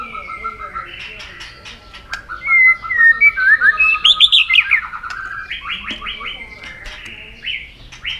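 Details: Agitated White-rumped shama singing in a contest with varied forest-style phrases: a busy mix of level whistles, fluttering trills and upswept notes, set against other bird sounds.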